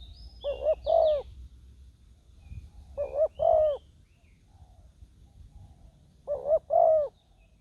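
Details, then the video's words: Spotted dove decoy on the ground, used to lure wild doves into a trap. Low mellow coos come in three phrases: two quick short notes, then a longer, sliding note, repeated about every three seconds. There is faint rustling and soft background noise. "ต่อนกเขาใหญ่ต่อดิน ติดแล้วยังสู้"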